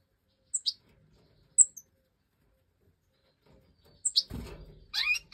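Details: Fledgling European goldfinches of the Major type, five young fed by their hen in a breeding aviary in 2024; paired high thin chirps at intervals, rustling, then a busy cluster of shrill calls.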